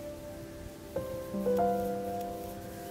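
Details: Soft, tender piano notes ring out and sustain over a quiet, faintly hissing background, with no animal calls.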